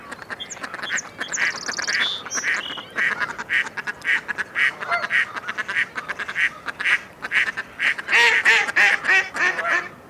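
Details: Mallard quacking in a rapid, uneven run of short nasal calls across ten seconds, with thin high chirps from another bird at the start and a louder, denser burst of quacks near the end.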